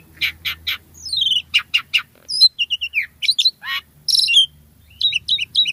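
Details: ['Javan pied starling singing vigorously in a full, richly varied song: rapid bursts of harsh chattering notes, a descending whistled slur, squeaky clicks and sharp high chirps in quick succession, with a faint low hum beneath.']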